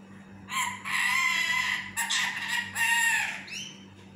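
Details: Pet parrot talking in its sleep while wanting to take a nap: a few drawn-out, harmonic, voice-like utterances with slight rises and falls, one ending in a short high upward squeak, over a low steady hum.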